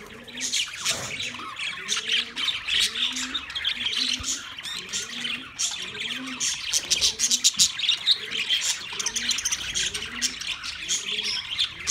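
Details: Budgerigars kept together in a large cage, 9 March 2024: steady high-pitched chattering and chirping throughout, with a series of soft, lower rising-falling notes repeating roughly every second underneath.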